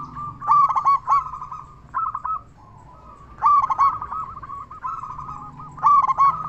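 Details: Persistently singing local zebra dove with a large voice, played to coax other zebra doves into song. Three loud, rippling coo phrases recur every two to three seconds over softer cooing doves.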